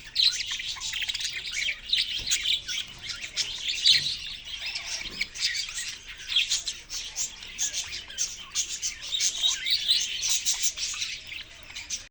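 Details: Continuous bright twittering from a group of budgerigars in a cage, a thick, unbroken mass of high chirps and warbles rising and falling in loudness.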